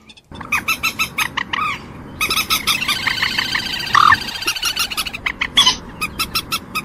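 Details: Common moorhen producing a string of short rasping clucks over a steady background hiss, with one brief higher squeal partway through before the clucking resumes.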